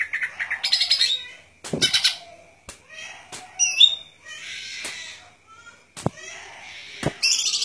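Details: Golden-fronted leafbird song of varied phrases: pulsed chatters, scratchy warbles and brief high whistles separated by short pauses, with loud sharp clicks scattered throughout.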